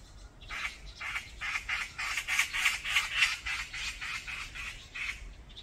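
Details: In a mountain gang fight, brown-eared bulbuls utter rhythmic, scratchy squawks about four per second, swelling louder in the middle of the series and fading toward the end.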